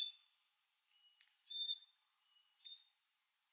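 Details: Glossy black cockatoo fledgling begging while being fed: two short, harsh, nasal squawks rich in overtones about a second apart, with faint thin tonal notes between them and a quiet background.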